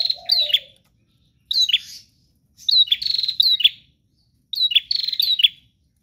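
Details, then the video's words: Prinia singing energetically and persistently, in a recording meant to get kept prinias singing too: three bursts of sharp, buzzy, high chirps with rasping trills, each about half a second to a second long, plus a brief lower descending note at the start. "Prenjak GACOR Ngotot Full Durasi Tanpa Jeda"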